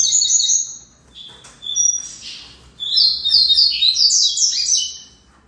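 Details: Song of a double-collared seedeater, with bursts of high chirps and short buzzy trills split by brief pauses, then a louder, faster tumbling phrase near the end.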